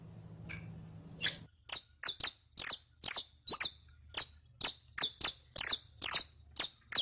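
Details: Captive saffron finch in a teaching recording for caged birds: a run of sharp, high, downslurred chip notes repeated about twice per second, evenly spaced, after a brief low hum at the start.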